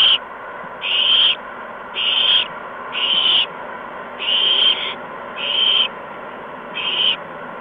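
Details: Owlets receiving prey deliveries of mice and a gopher from adult owls, evening of 13 March 2015; seven loud, rasping hiss-like bursts, each roughly half a second, spaced about a second apart.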